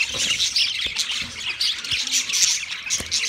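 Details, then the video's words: A yellow male budgerigar's mating sound, a short stretch of dense, loud, buzzy high warbling and chirping that keeps going throughout. "Yellow Male Budgie chirping sounds , Matting sound"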